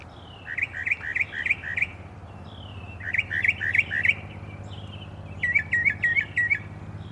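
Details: Morning birdsong in Alabama: three bright bursts of quick, repeated chirping notes, each a rapid run of five or six similar slurred whistles, separated by short pauses over a low steady background rumble.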